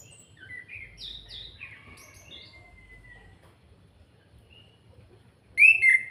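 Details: Kretekan calling of an orange-headed thrush from Salatiga, played to stir other birds to sing: faint scattered chirps and a long thin descending whistle, then a sudden loud harsh burst of sharp notes near the end.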